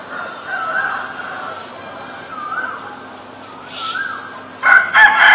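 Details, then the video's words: Asian koel, male and female: a series of wavering, tonal notes that rise and fall, ending in two short, loud, harsh bursts over a steady background hum. "นกกาเหว่าตัวผู้และตัวเมีย (Asian koel, Male, Female)"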